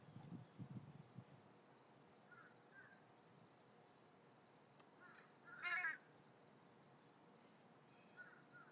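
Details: American crow (Corvus brachyrhynchos), alarm call: alarm calls of scared crows, practiced by young birds.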